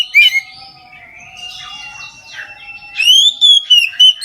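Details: Oriental magpie-robin singing in full at midday, a song used to prompt other magpie-robins to sing: a loud whistled phrase, a softer warbling stretch, then bright rising and falling whistles with sharp chips.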